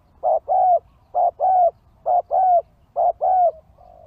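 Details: Spotted dove calling as a lure for wild birds: a short coo followed by a longer, slightly falling coo, the pair repeated about once a second in a steady rhythm, with a faint low hum underneath.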